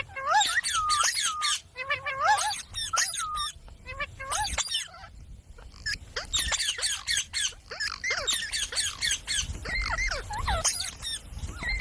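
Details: Pet parrot mimicking speech with clusters of sharp, scratchy and whistled syllables, several dropping notes in quick bursts, quieter gap near the middle before chatter resumes.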